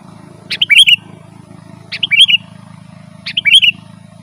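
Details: Sooty-headed bulbul, full 'gacor' song for calling wild birds and tutoring kept ones: three crisp phrases of bright chirped notes, each about half a second, repeated every one and a half seconds with a faint hum behind.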